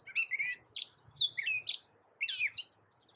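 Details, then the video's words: Gray catbird sings sliding whistled phrases and a buzzy, rough note, with a low hum and background hiss, then a pause before a final burst. "Suara Masteran Burung Kecil Gray Catbird"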